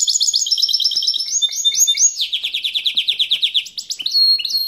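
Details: Strong singing from a European goldfinch hybrid (mule): quick high chattering phrases shift into a fast, pulsing trill of repeated notes, then end in bright twitters and a thin buzzy tone.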